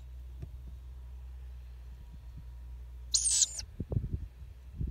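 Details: Wild young Ural owl chicks, seemingly used to people and sleepy-eyed; one gives a harsh, hissing, high breathy screech lasting about half a second over a low rumble and a few soft knocks.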